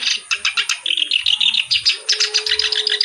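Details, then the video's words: Kerak basi reed warbler in active song: a fast, rhythmic string of harsh, buzzy chattering notes, evenly pulsed at several per second. A soft low whistle enters near the end. "BURUNG KERAK BASI GACOR CENGKOK LAGUNYA OK"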